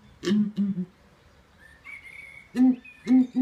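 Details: A male southern ground hornbill at Birdland, Bourton-on-the-Water, Gloucestershire, gives his booming courtship call to woo his mate: deep, hollow booms, singly and in pairs about twice a second, with a thin high whistle from another bird between.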